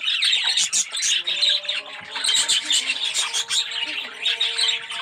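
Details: Yellow red-eyed budgerigars kept as an aviary colony, many birds warbling together in a thick, high twittering chorus with quick squeaky chirps and a few lower, drawn-out tones beneath.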